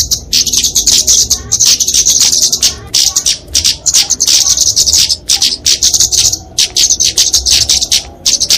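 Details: Kemade, a Dicaeum flowerpecker, sings its fighting song, used to tutor songbirds and lure small birds. Shrill, high chattered phrases of fast clicking notes repeat about once every second or two with short pauses between.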